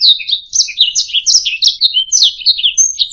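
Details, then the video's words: Kenari, a canary, sings for use as a tutor recording to teach other birds: quick chattering phrases of swept notes and short trills, dense and unbroken, clean background. "SUARA MASTERAN - Ocehan Burung Kenari"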